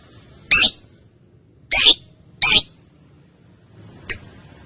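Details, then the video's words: Young female lovebird, a caged bird used as a training lure for other lovebirds, gives three loud, harsh, high squawks about a second apart, then a short sharp click near the end over a quiet background. "Suara Burung LOve Bird Betina Balibu Kusumo Ngetik Konslet Ngekek Pancingan Masteran Panjang"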